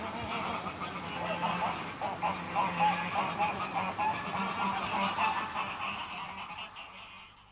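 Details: Greylag geese, a small flock calling in flight at close range: continuous overlapping nasal honks, several per second, rising and falling in loudness before fading out near the end.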